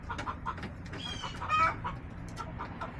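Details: Backyard chickens on a homestead, hens clucking in short repeated notes around a kilohertz-range pitch, with one louder drawn-out squawk midway and scattered clicks and pecking sounds over a low steady hum.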